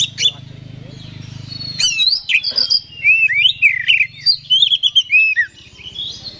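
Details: Oriental magpie-robin lure song played to make another bird aggressive and vocal: a low steady hum at first, then lively whistled phrases with rising and falling slurs.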